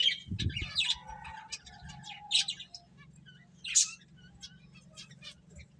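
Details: Chirping finches while eating and playing: quick high tweets and trills, loudest early and near the middle, then fading to soft twitters, with a brief low thump and constant background hum.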